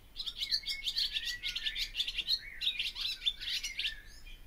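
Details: Continuous rapid twittering from a barn swallow, bright scratchy chirps run together in two long phrases.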